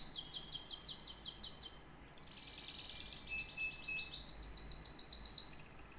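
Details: Song of a canary opening with crisp repeated chip notes, then a buzzy rolling trill and a steady whistled tone, before returning to a row of sharp evenly spaced chips.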